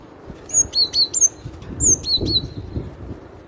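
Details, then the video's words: Loud cinereous tit song: two phrases of clear, piercing whistles, each a high note sliding down into a lower one, given quickly in a row over soft low background noise. "Suara lantang burung glatik batu"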